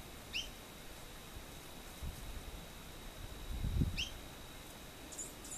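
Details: A Brown jacamar (Brachygalba lugubris) in the Colombian Llanos calls with two thin, high, sharply inflected notes about four seconds apart, over a steady high insect hum and low rumbling background noise.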